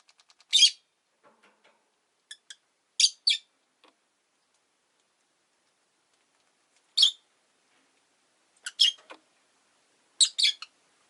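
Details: Pet rosy-faced lovebirds, five kept in a window-side cage, produce scattered brief shrill chirps in pairs and singles separated by quiet gaps, with faint background chatter.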